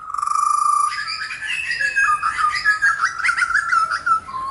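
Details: A pied butcherbird, one of a family of five singing out to each other in a tree one morning and wary while a butcherbird chases them, gives a steady pure whistle, then rich warbling slurred notes, ending on a lower whistle.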